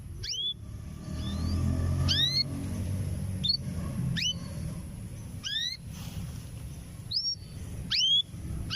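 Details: Canary hen of breeding age, six to seven months, calling often for a male: short rising whistled notes repeated roughly every one to one and a half seconds, some doubled, with a constant low rumble underneath.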